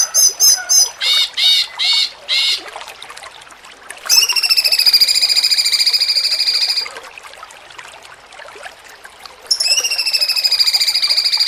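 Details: Cucak cungkok singing jengking munting style for contest-bird training: opening bursts of short pulsed phrases, then a long strongly harmonic whistled buzzing trill, a quiet gap, and the trill resuming.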